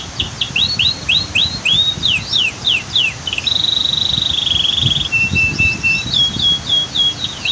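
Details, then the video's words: Canary training song over waterfall ambience: quick curling chirps repeated in a steady run, a long held whistle lasting over a second, then a lower tone and a tight buzzing trill, with low rushing water behind. "Masteran Kicau KENARI"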